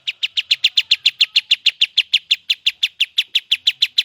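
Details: Sooty-headed bulbul in vigorous voice: loud, sharp chipping notes repeated steadily about three times a second, each a short downward-slurred chip, with no other sounds evident.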